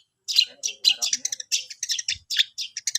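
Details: Long-tailed shrike learning to sing, a rapid run of scratchy, chattering high notes delivered almost continuously, with a faint low thump midway.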